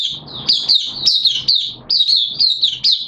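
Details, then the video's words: Oriental white-eye kept in a cage, on the second day of monthly deworming, September 2022, singing a continuous run of high, slurred, twittering phrases, each a rapid jumble of thin sweet notes repeated without pause. "Mata Puteh T Rex Buka Sing"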